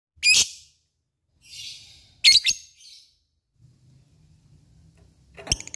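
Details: Lovebird giving a few sharp, harsh chirps in short bursts separated by pauses, with a faint low hum in the background.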